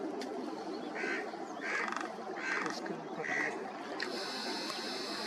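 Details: Yellow-crowned woodpecker, with a male and female present, at Ghana Bird Sanctuary, Bharatpur, Rajasthan, India, in February: four short, mid-pitched notes about a second apart, over steady hissing background noise and a thin high whine near the end.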